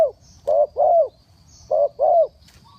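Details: Spotted dove decoy for trapping cooing fast: two pairs of soft, low coos, each a short note followed by a longer, gently falling one, separated by a brief pause.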